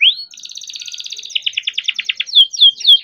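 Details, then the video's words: Young captive canary rolling its song as a lure for other canaries: a rising slur, a fast fluttering trill, a rapid staccato series, and three drooping whistled notes. "KENARI GACOR DOR COCOK BUAT PANCINGAN KENARI BIAR GACOR"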